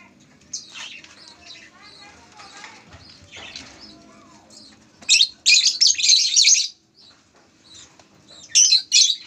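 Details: Canary kept at a breeding farm: scattered faint chirps and twitters early on, then loud buzzy rolling bursts of high song, a pause, and one more short burst at the end.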